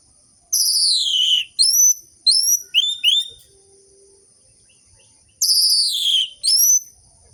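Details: Orange-headed thrush singing, played to trigger vocal response in lazy captive birds: loud descending slurred whistles alternating with short upward-swept notes, phrases repeated after a pause.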